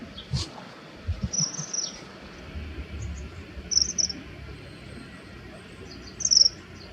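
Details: Common kingfisher males fighting over territory and giving threatening calls during an aerial fight with hovering. Short, sharp, very high piercing notes come three times, spaced about two seconds apart, over a steady low background rumble.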